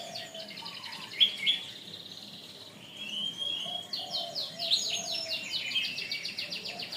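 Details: Canary song from a long masteran tutor track for bird training. Buzzy high notes and a sustained tone lead into a fast rattling trill of repeated chirps, about four per second, with low background warbling.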